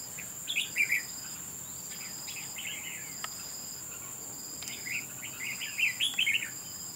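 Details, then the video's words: Red-whiskered bulbul fighting at a bird trap: clusters of short, chattering warbled notes early on and again in the last two seconds, over a steady high insect whine and a regularly pulsed cricket chirp. "Bẫy đấu chào mào"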